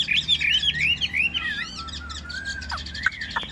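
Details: Caged yellow-billed hwamei, described as a large-headed bird with glossy face, sings a rich varied phrase of rising whistled notes and slurred trills, ending in lower drawn-out whistles.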